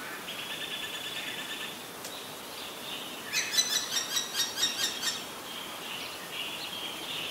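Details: Common myna in Ubon Ratchathani, Thailand, May 8, 2022, recorded with a Nikon P1000: a thin high whistle-like note, then a rapid burst of about eight clipped, rasping pulses over two seconds, with steady background hiss.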